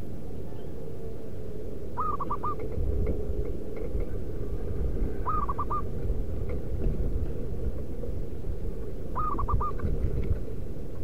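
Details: Wild local zebra dove used as a lure to call other doves: three low, mellow cooing phrases, each a long note followed by quick stuttering notes, spaced about three and a half seconds apart over steady low rumbling background noise.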